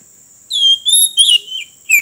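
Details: Roadside Oriental magpie-robin song heard while trapping: four separate clear whistled phrases, each about a quarter second long, sweet and slightly wavering, with short silent gaps between them.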